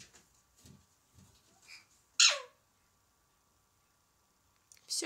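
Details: Tailless pet Alexandrine parakeet meowing like a cat while out on its stand during an evening outing. One loud, harsh call sweeps steeply downward. Soft murmuring comes before it, and a second loud call begins at the very end.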